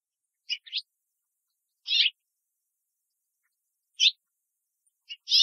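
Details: A female house finch, hopping between branches in a tree in Southern Ontario, Canada, gives short, bright chirped calls, singly or in quick pairs, spaced irregularly every one to two seconds against a quiet background.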